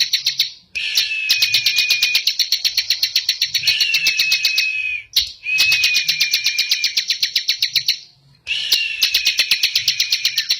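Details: Ciblek, or bar-winged prinia, singing steadily: long runs of fast dry high clicks over a thin wavering whistle, each run several seconds, broken by brief silences.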